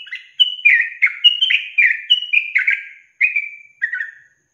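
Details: Yellow-vented bulbul song in the long trilling 'ropel panjang' style, kept as a training recording for songbirds: a bubbly run of about eight quick, slurred whistled notes, alternately rising and falling, delivered in fast succession with short gaps near the end.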